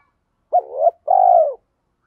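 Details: Spotted dove kept as a lure, 'thổ pha' voice, with quick sewing-machine-like cooing to provoke wild males to answer. A single phrase: a brief broken two-part note, a short pause, then a steady, mellow, slightly falling coo.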